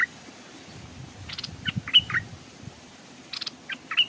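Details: Caged decoy Stripe-throated Bulbul hung beside a stream, where wild birds came but dared not come down; scattered short bright chirps and slurred notes in two loose bursts over a low murmuring background.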